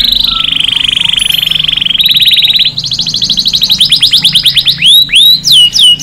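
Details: Canary song meant to excite male canaries and train chicks: a steady high buzzy roll, a brief jump to a sharper trill, then accelerating curved whistles ending in loud rising-falling notes.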